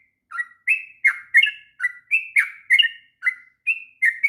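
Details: Energetic ngropel song from a sooty-headed bulbul, a tutor recording for young birds: crisp separated whistled notes, some rising, some falling, spaced evenly at about two to three per second.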